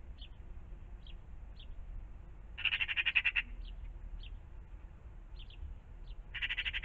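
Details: Magpies at a pond in the morning: a burst of fast, harsh chattering, scattered brief high chirps from other birds, then another rasping rattle starting at the end, over steady low background noise.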